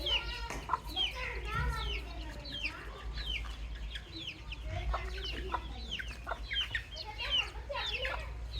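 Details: A flock of baby chicks peeping continuously, dense overlapping high descending chirps filling the whole stretch, over a low rumbling background.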